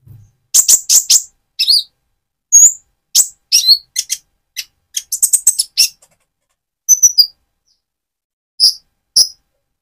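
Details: Van Hasselt's sunbird in spotted plumage, kept in full song to stimulate another bird's temper; scattered very high, sharp chips and short twittered bursts in uneven clusters, separated by brief silences.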